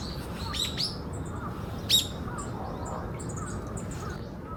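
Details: Yellow-throated Bunting among wild birds in Osaka Castle Park, at the former heliport, giving thin, high, sharp tsip notes, scattered and irregular, over a steady low rumble of distant traffic.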